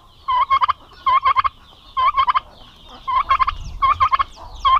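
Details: Aggressive male domestic turkeys housed together at a turkey-raising farm in Paraná, Brazil, gobbling in a steady series of about five rattling bursts, close to one per second, with faint higher squeaks late on.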